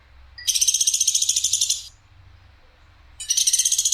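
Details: Sharp, clear voice of a woodpecker known as platuk sampit: a fast, buzzy pulsed rattle of about one and a half seconds, then silence before a second rattle starts near the end.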